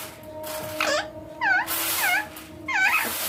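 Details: Natural calls of an Indian green ringneck parrot kept with its owner: a string of harsh, chevron-shaped squawks, each dropping quickly in pitch, given roughly every half second over low room hum.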